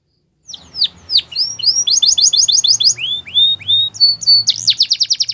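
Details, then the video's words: Belgian canary singing a training song for young canaries: downslurred whistles leading into a fast even trill, more rising slurs, then a rapid rattle, over a faint low hum. "Canary Training Song | Belgian Canary"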